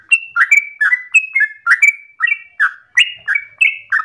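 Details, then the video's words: Persistent, fast yellow-vented bulbul song with simple, easily copied phrasing for training raw bulbuls. Short gurgling whistles step between high and lower tones in a lively, uneven rhythm over four seconds. "Trucukan gacor ropel ngotot nafas panjang ini cengkok paling gampang ditiru trucuk bahan"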